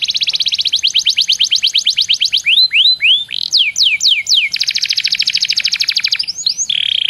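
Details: Canary song used as a lure to get other canaries singing: rapid trills of repeated notes, then a series of loud downward-sweeping whistles, another fast buzzy trill and a steady high churring roll.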